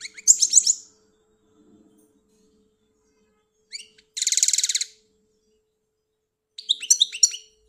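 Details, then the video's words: Algerian goldfinch singing in bursts: a tinkling twitter, a pause, then a dense buzzy trill lasting under a second, and later more sharp twittering phrases; faint steady hum in the background. "The best goldfinch singing beautifully"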